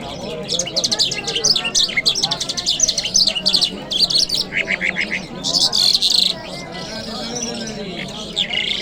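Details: Continuous lark singing recorded in Kabul city on a Friday morning, dense rapid trills and chirps in quick succession, broken by a few louder buzzy phrases and sliding whistles.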